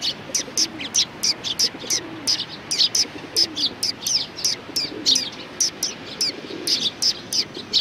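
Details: Neighbouring flock of sparrows at a Tenmangu shrine on 14 March 2019, chirping busily: rapid, overlapping high tweets repeated several times a second, with soft low cooing from pigeons underneath.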